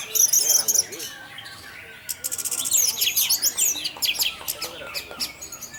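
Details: Lure singing of an orange-headed thrush, 'teler' style, to make other thrushes join in: rapid pulsed chips and buzzy high notes, then a dense chattering run of quick, clicking, whistled elements.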